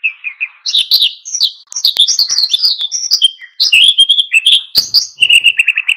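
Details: An oriental white-eye's energetic wild-style song, used to stir other birds to sing, runs almost without pause as a dense, high, warbling twitter of varied chirps, ending in a quick series of repeated notes.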